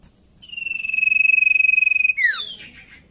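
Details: Common iora song, played as a lure to make other birds sing: one long, even, pulsing whistle held for about one and a half seconds, ending in a quick downward slurred note.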